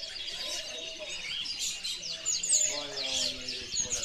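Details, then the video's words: Singing European goldfinch: quick high twitters and slurred, sweeping notes in rapid succession, with a short series of lower tonal notes near the middle. "chardonneret de mila"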